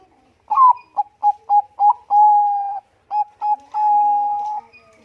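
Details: Zebra dove, Bangkok type, kept as a lure for other birds, singing a rhythmic phrase: a rising opening coo, a string of short bubbling notes, a long steady coo, then more quick notes and another drawn-out coo.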